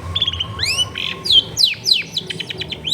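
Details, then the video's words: Long-tailed shrike song in a dense residential area: a rapid medley of high, sweeping whistles, swift up-slurs and down-slurs and short chirps packed into three seconds, with a faint steady hum beneath. "TERBUKTI TERAPI CENDET MALAS BUNYI LANGSUNG NYAUT"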